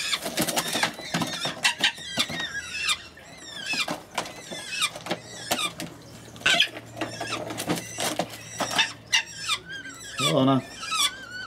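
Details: Danube saker falcons with about three-week-old chicks at the nest, 30 August 2015, give harsh, squealing, rising and falling calls in rapid overlapping bursts; a low mechanical hum runs underneath for a few seconds.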